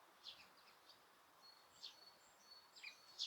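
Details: Birds in Osaka Castle Park, with noise reduction applied and no people around: a few bright, high chirps and brief thin whistles, spaced irregularly, the loudest at the end, over quiet hiss.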